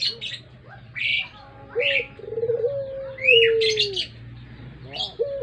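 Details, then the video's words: Puter pelung collared dove used as a lure, one long coo rising from a pulsed start into a smooth, slowly falling tone, surrounded by loud high twittering of other birds. "Burung puter pelung.cocok buat pancingan"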